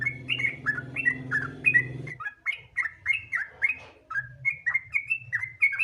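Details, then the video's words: Bulbul lure song, sooty-headed bulbul: quick liquid whistled notes in steady succession, accompanied by a buzzy low hum for the first two seconds that then drops away. "Pancingan Trucukan Gacor Ropel Santai Sangat Ampuh Bikin Trucukan Lain Cepat Bunyi Gacor Ropel"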